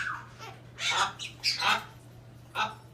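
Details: Captive hyacinth macaw at a parrot park in St-Placide, Laurentides, Québec, making unusual noises, possibly calling to a bird outside. Rough, broad squawky bursts, a few close together then one more after a pause, with a steady low hum indoors.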